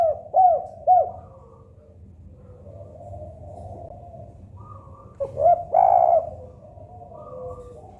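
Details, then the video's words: Tekukur, a local spotted dove, gives two quick arched coos at the start, then after a quiet stretch a louder, rougher coo burst and a long mellow note, with faint low hum throughout. "Suara Kesukaan Tekukur Agar Cepat Bunyi Bunyi Gacor Door"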